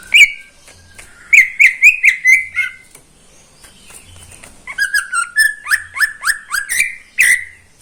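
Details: Caged greater green leafbird singing in the morning: short bursts of whistled upslurs, a pause, then a fast run of descending slurred whistles ending in a bright note.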